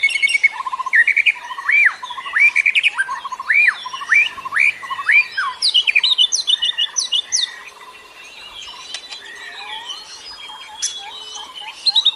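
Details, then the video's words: Indonesian lure bird song used to attract other birds: rapid repeated rising-falling whistled phrases, about 107 per minute, later shifting into varied chirps and sharp notes with quieter twittering. "KICAU BURUNG PEMIKAT"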